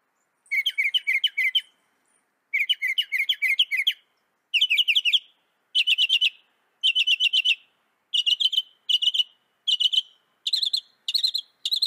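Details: Northern mockingbird, a North American bird, singing a long sequence of rapid buzzy trills, each burst of notes repeated several times before changing to a new, slightly higher pattern.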